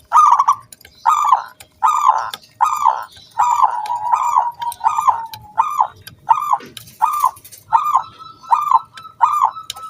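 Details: Local wild zebra dove in full song, used to coax other doves into singing: a steady series of short, bright, stuttering coos repeated over and over, about one and a half per second, with one longer drawn note partway through.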